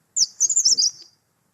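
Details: Grey-sided Bush Warbler song, very short and fast: a burst of five rapid, very high, thin squeaky notes run together in under a second, then silence.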